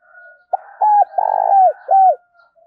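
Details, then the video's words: Decoy spotted dove cooing to provoke and lure wild doves: one short clipped note, then a clear arched whistled coo, a longer burry rolling coo, and a final arched coo, all low and mellow in quiet surroundings. "Chim Cu Mồi gấy kích bổi"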